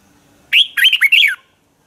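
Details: Red-whiskered bulbul morning fighting song for training birds, one short loud phrase of four bright whistled notes, each rising then dropping sharply, the last falling lowest, in a quiet background.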